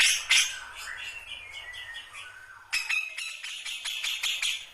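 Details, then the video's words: Cucak jenggot (grey-cheeked bulbul) beginning its ngombyok song style: softer whistled, sliding notes first, then an abrupt switch to rapid, harsh repeated chatters of several notes per second. "Kicauan Burung Cucak Jenggot Baru Ngombyok"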